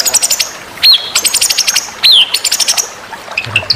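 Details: White-rumped shama song from a training series for contest birds: quick bursts of high chirps and buzzy notes, twice broken by a clear whistle that slides downward, then trailing off into scattered soft chirps.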